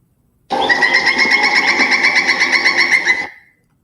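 Pileated Woodpecker giving a loud, ringing series of kuk notes, about four per second for nearly three seconds, steady in pitch and fading slightly at the end.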